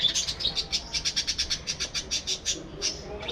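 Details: Budgerigar in a captive breeding colony giving a fast run of sharp, evenly spaced chirps, about five per second, bright and clipped, with softer flock chatter behind.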